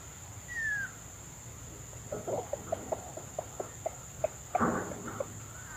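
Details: Wild red junglefowl hen arriving at a trapping decoy gives a run of short, low clucks about three per second, ending in a louder clustered burst. A descending whistled note from another bird opens it, over a steady high electronic whine.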